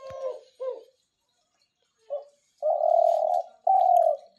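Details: Captive doves, kept as hunting decoys, calling at night: low, hollow coos, two short ones, a brief one, then two long, drawn-out coos, with nothing else heard.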